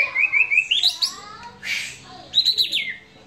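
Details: White-rumped shama in relaxed song: a run of repeated short whistled notes rising into harsher chattering phrases, then a second burst of scratchy notes after a pause.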